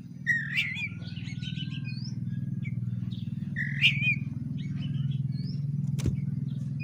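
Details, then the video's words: Oriental magpie-robin song played to provoke fighting: scattered warbling whistled phrases and high chirps over a loud steady pulsing hum, with a sharp click near the end. "pancingan kacer agar tarung bongkar isian kacer tarung cari lawan"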